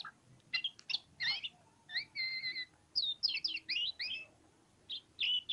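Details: Oriental magpie-robin, ngobra song: a mix of sharp chips, a pair of sustained flat whistles and a quick tumbling sequence of slurred notes, over faint background noise.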